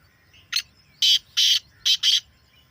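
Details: Black francolin phrase from a natural recording for making captive birds call: a clipped opening note, then two pairs of loud harsh notes, over a low background murmur.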